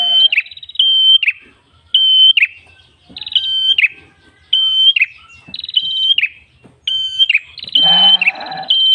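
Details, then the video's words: Gacor red-headed tailorbird (prenjak kepala merah) with ngalun voice, sung to lure birds: drawn-out flat high whistles ending in buzzy downward flicks, repeated about once a second, with a brief harsh noise near the end. "MASTERAN PRENJAK KEPALA MERAH GACOR SUARA NGALUN"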